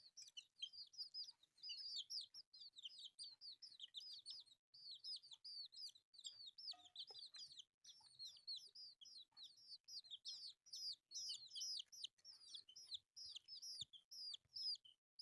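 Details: Colourful baby chicks eating rice, a flock peeping constantly with high, thin, downslurred cheeps that overlap in a busy chorus with barely a pause.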